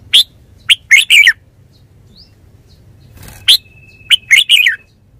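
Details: Red-whiskered bulbul delivering lively bursts of clear chirping notes, grouped in quick runs of two to four, with a soft rustle midway and one thin sustained whistle tone near the end.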